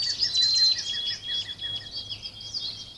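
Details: Backyard woodland birds in Virginia on a late-April day, recorded by a trail camera at the woods' edge: rapid high chirps and sharp thin whistled notes, several overlapping singers, with a faint steady low hum underneath.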